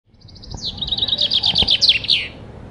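A common chaffinch sings a bright, rattling run of notes that tumbles downward in pitch and ends in a quick flourish, with faint background noise.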